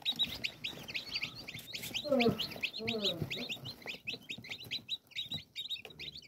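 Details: Chorus of newly hatched chickens from 5 June 2022, many thin high peeps tumbling over one another, while a lower harmonic, voice-like sound briefly rises under them near the middle, then soft scuffling.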